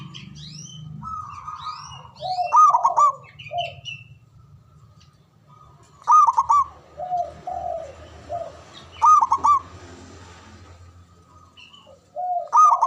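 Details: Local Javanese zebra dove with a big, loud voice and long breath, its natural song meant to call rivals to reply: four stuttering, rolling coo bursts at irregular intervals, softer lower slurred coos between, and other birds' high chirps at the start.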